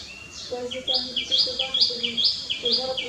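A common myna gives bright, chirping whistles that step upward, repeated about every 0.7 seconds, over lower throaty notes and a faint background hum.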